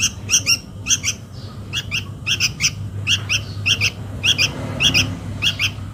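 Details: Sooty-headed bulbul chick calling to its parent, recorded as a lure: rasping chirps, mostly in twos, repeated nearly twice a second in an uneven rhythm over faint hum.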